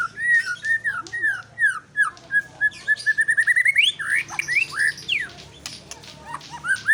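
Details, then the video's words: White-rumped shama song of rich, melodious whistles, first sliding downward phrases, then a quick accelerating run of repeated notes climbing to a bright rising flourish, followed by scattered high chips and whistles. "murai shama bird"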